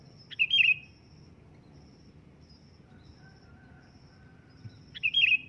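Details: Sooty-headed bulbul giving a loud calling phrase: two short, bubbly, chattering bursts about five seconds apart, with a faint high pulsing tone in the quiet background.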